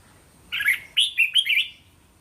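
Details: Red-whiskered bulbul phrase kept for playing to young caged birds in training, with counted three-to-five-syllable phrases for them to answer; a single burst of bright warbled, slurred notes, rising and dipping, lasting just over a second against near silence.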